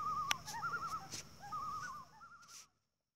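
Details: A group of 13 common loons playing, running and flying around on the water give quavering, wavering calls that overlap and answer one another, with sharp splashes of water in between.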